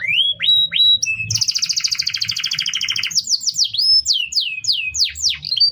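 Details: Tutor song of a canary for training other birds: rising whistled notes, then a long rapid rolling trill, followed by quick descending chirps and slurred whistles.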